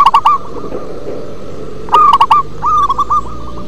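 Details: A local zebra dove sings in a low, bass manner: an opening run of rapid coos, a quiet gap, then a loud rich burst of rolling notes and a softer trailing string of short hooks.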